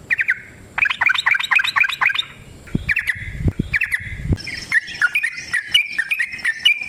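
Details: Yellow-vented bulbul in sustained 'ropel' song, used to provoke other bulbuls to sing; fast bubbly bursts of whistles, several low knocking thumps in the middle, then a run of clearer slurred notes.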